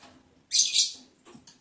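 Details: Lovebird in the breeding season, during mating, a single shrill, scratchy chirp followed by two faint, short peeps.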